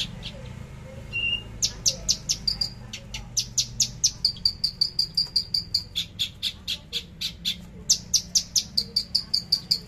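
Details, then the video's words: Javan bush lark, a cage bird, recorded on 13 December 2022 at 10 in the morning, delivering a trotol song: long strings of fast, evenly spaced high clicks broken by brief level whistles, continuing for the whole stretch over a low background hum. "Branjangan javanica lepas trotol tembakan sadis"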